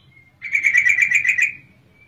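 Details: A female yellow-vented bulbul gives a rapid, rattling chatter of about nine pulses, roughly one second long, played to coax lazy males into song; a thin faint whistle runs before and after.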